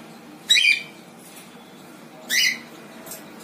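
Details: A cinnamon female cockatiel, filmed in her last days, gives two harsh, screechy calls about two seconds apart in a quiet room.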